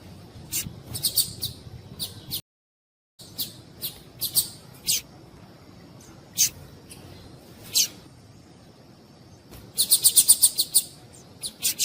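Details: A female double-collared seedeater (Sporophila caerulescens) gives thin, high chirps, singly or in short bursts, ending in a quick run of about seven notes over soft hiss; the call is used to stimulate males to sing.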